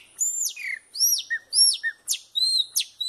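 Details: Chopi blackbird singing a varied run of loud whistled notes, arched slurs, short falling whistles and sharp downward strokes, delivered in quick irregular succession with silent gaps and no other sounds.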